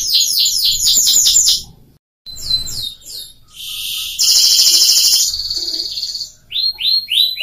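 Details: An F1 Scotch Fancy canary, kept as a vocal tutor for young canaries, sings a loud, high song of rapid repeated trills and chirped phrases, broken by brief pauses and a sustained buzzy roll; Belgian canary.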